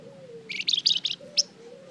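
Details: Flamboyan singing vigorously to draw other birds' answers: a brief cluster of sharp, high, slightly buzzy chirps and one final bright note, with a faint low hum behind.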